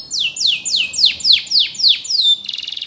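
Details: Canary song for training: about eight clear downward-sliding whistles at roughly three per second, each falling from high to middle pitch, finishing with a short rapid buzzy trill.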